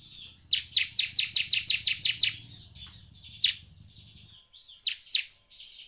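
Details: Bar-winged prinia singing, played to stimulate other prinias into song. A rapid string of about ten sharp, high chips opens the passage, then scattered single high notes follow. A low hum sounds underneath for the first four seconds.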